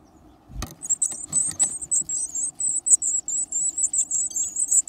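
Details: Hungry nestling Varied tits gobbling big insects: after a soft knock, a continuous stream of shrill, very high squeaks pulses steadily, several per second, without pause.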